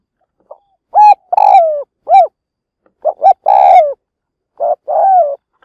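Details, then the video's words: Spotted dove used as a trapping lure, cooing loudly: clear, mellow coo notes in short groups, single hoots followed by longer, falling drawn-out coos, repeated with brief pauses in otherwise quiet surroundings. "Mồi lụp gáy kích bổi"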